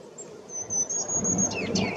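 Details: Ruby-crowned Kinglet singing in May 2018 while moving about catching insects: a very high, thin, drawn-out note, then a burst of quick slurred notes dropping in pitch, over a low background rumble.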